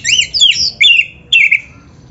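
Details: Clear magpie-robin song from a tutor recording for training birds: loud, sweet whistled phrases that swoop and warble, followed by a softer, sliding whistle.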